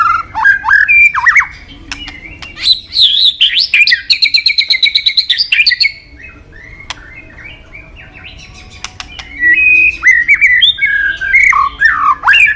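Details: White-rumped shama, highly sought by bird-song hobbyists, in full song: varied whistles and slurred notes, a fast stuttering run of repeated notes, a brief lull, then more rich, sweeping phrases.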